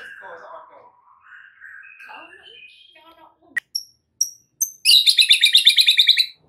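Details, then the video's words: White-rumped shama full fill-in song for tutoring other shamas: soft, low warbled phrases, then sharp high chips and a loud, rapid buzzy chatter repeated about three times a second. "MASTERAN Murai Batu FULL ISIAN , Murai manapun AUTO NYAUT mendengarnya"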